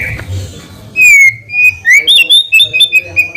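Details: Short burst of White-rumped shama song, used as a lure to draw a quick response. Clear, piping whistles, some sliding up, are repeated in a quick series after a brief low rumble.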